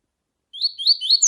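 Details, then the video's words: Double-collared seedeater, a female calling to stir up a male: three or four sharp, high upslurred notes in rapid sequence, then a clipped ending, with nothing else audible. "CANTO DO COLEIRO TUI TUI COM FÊMEA CHAMANDO PARA ESQUENTAR COLEIRO TUI TUI"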